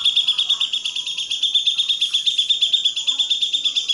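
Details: Grey-cheeked bulbul tutor recording for songbird training: a continuous, rapid, evenly spaced stream of sharp, ringing notes, about five per second, steady in pitch throughout.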